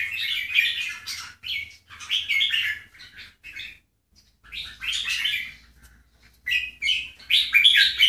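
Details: Bulbul from a Keke versus Golden Voice jambul comparison sings short, warbled chattering phrases of about a second each, with a long silent gap midway, then quicker bursts.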